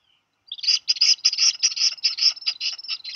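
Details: Two Black Guillemot chicks in a Maine refuge nest on a July afternoon; after a brief pause, a dense rapid string of loud, buzzy high notes, about three per second.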